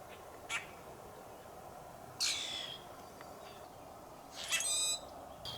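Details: Grackle calling near a campsite clearing in Algonquin, Canada, on a cloudy day with rain coming, possibly flying behind the recordist: three harsh, squeaky squawks with creaky high overtones, a couple of seconds apart, over a steady outdoor hiss.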